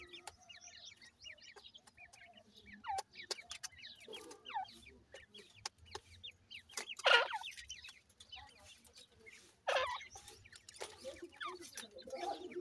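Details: Captive grey francolin chicks chirp continuously in thin, fast peeps while loud clicks, knocks and brief handling noises cut in repeatedly.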